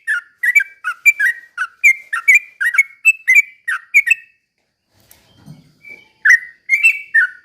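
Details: Lure song of a Sooty-headed bulbul, a slow rapid-fire ropel meant to provoke other bulbuls into calling. A steady run of clear, bubbly downslurred whistles, then a short pause with a soft low rustle, then more notes.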